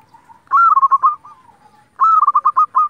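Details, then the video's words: Local zebra dove singing to provoke rival zebra doves into answering. Two loud phrases, each a rising opening coo followed by a rapid string of pulsed, bubbling coos, separated by a soft fading murmur. "pancingan perkutut lokal gacor hitungan detik saja langsung nyaut"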